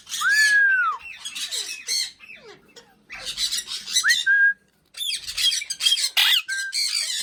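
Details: A talking Indian ringneck (rose-ringed) parakeet chatters in harsh squawks and scratchy mimicked speech syllables, mixed with a few clear whistled notes rising and falling, in quick uneven bursts.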